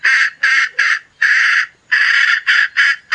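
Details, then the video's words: Chicken hen uttering a handful of coarse, squawking notes, some short and some stretched, separated by brief gaps. "suab poj qaib seev dib tuaj 100%"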